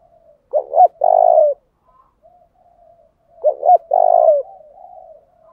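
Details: Spotted dove decoy call used to lure and provoke wild doves into answering: two phrases, each of two quick low coos followed by a longer, drawn-out hoarse coo, about three seconds apart, in an otherwise quiet background.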